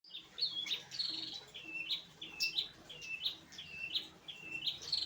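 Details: Long-tailed shrike singing in the late afternoon: a run of high, sharp chirped notes with short descending slurs, repeated unevenly about every half second, fairly faint against a quiet background.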